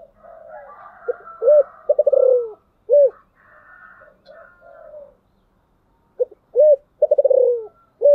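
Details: Spotted dove lure cooing in the thổ sấm style to provoke wild doves: two full phrases of deep coos and rattling falling coos, with softer higher cooing in between.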